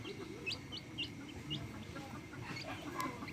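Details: Backyard chicks beside their hens give short high upslurred peeps about twice a second, fairly regular, against a low rumbling background.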